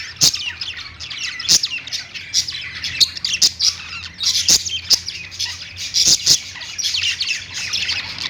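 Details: Several minutes' worth of pet budgerigar perch singing condensed here into steady shrill chattering, squeaks and trills in rapid runs, with frequent sharp clicks throughout.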